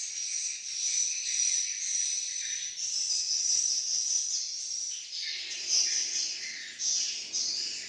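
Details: Swiftlets in Malaysia giving dense, buzzy twittering calls, a continuous high chattering with overlapping rasping chirps that rise and fall in loudness over several seconds.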